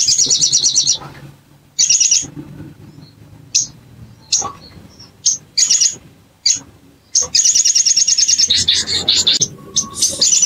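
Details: Bar-winged prinia lure meant to trigger song quickly: repeated bouts of rapid, high, buzzy trilling, some long and some short, interspersed with sharp single chirps over ten seconds.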